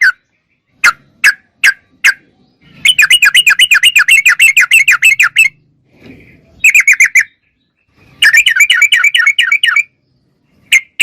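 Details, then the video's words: Sooty-headed bulbul singing vigorously in a clear, natural recording: a few sharp separate chirps, then fast rattling runs of bright notes repeated several per second, broken by short pauses, with faint low background rustle. "Suara Trucuk Gacor Super Jernih"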